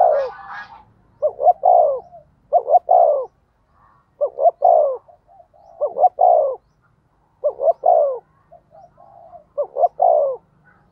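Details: Spotted dove kept as a decoy, cooing to provoke wild doves into answering. Seven three-part phrases of two short notes and a long falling coo, a phrase about every one and a half seconds, with a brief high chirp at the start.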